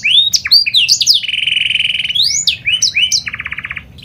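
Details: Panda canary singing as a lure to get other canaries singing: quick rising and falling whistled notes, then a long even buzzy trill, more sweeping whistles, and a second rattling roll at the end.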